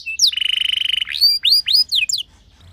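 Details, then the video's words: Canary singing as a lure for other canaries: a short note, a level buzzing trill held under a second, then a string of arched, rising-and-falling whistles. "Cukup Putar Sebentar Saja Burung Kenari Lain Bakal Langsung Ikut Gacor Ngerol Mewah Dengan Pancingan"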